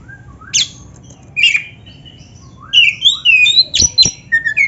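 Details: Song of an Oriental magpie-robin, black-breasted type, played to coax caged birds to sing: sparse, separated whistles and slurred notes at first, then a quicker run of sweet whistles with two sharp clicks.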